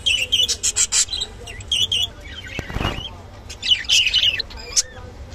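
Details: Rainbow budgerigar chattering in rapid scratchy pulses, about six in the first second, then a soft thump and further warbled, buzzy squawks, all over a low background hum.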